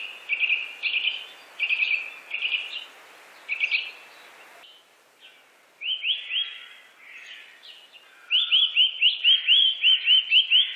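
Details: Eurasian nuthatch in Germany's Wittlich valley, 2018: paired chirps at first, then a fast even series of about ten rising whistled notes, roughly two per second.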